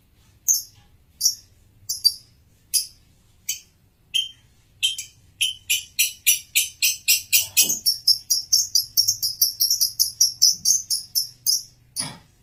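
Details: Male lovebird giving high, sharp chirps, spaced at first, then speeding up into a fast steady series of rapid repeated notes.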